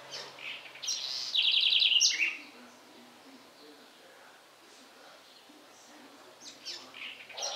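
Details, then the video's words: Singing house wren, Sertão of Bahia, Brazil: a short introductory chirp, then a quick ringing trill of rapid high notes for about a second, followed by a quiet pause and a few faint chirps. "Canto da Garrincha"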